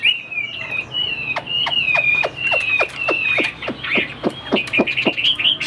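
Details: Caged fighting-type Chinese hwamei gives long drawn whistles sliding slowly up and down, punctuated by sharp regular clicks or taps roughly every quarter second.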